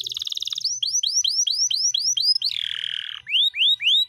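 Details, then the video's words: Canary song for tutoring caged birds: a brief high trill, then repeated ringing notes that sweep up and fall, about four per second, a lower rasping buzz, and more sweeping notes. "masteran kenari gacor,gacor (durasi) panjang ngeroll"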